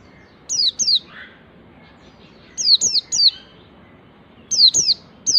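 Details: White-eye in ngalas song style practising shooting phrases, said to prompt other white-eyes to sing: short clusters of two or three piercing downward-sliding whistles about every two seconds, with a soft lower chirp and steady background hum.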